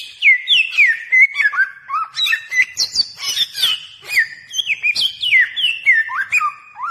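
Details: Bare-throated whistler of Flores and Sumbawa, recorded for luring birds: rapid flowing song of loud whistled slurs dropping and rising, with bursts of high chips, sustained for the whole stretch.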